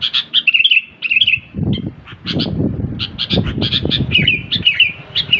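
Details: Sooty-headed bulbul giving fast warbled whistles and short chirps, broken by bursts of low rustling and knocking noise.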